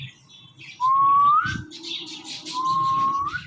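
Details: Pet Ringneck parrot talking into a phone while watching itself: two clear whistled notes, each holding level then sliding upward at the end, separated by a pause, with scattered soft rustles and clicks.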